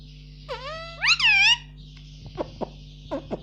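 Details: Indian ringneck parakeet at home saying "mummy": a rising syllable followed by a loud, wavering, bending note, then several short, soft clicks, over a constant hum.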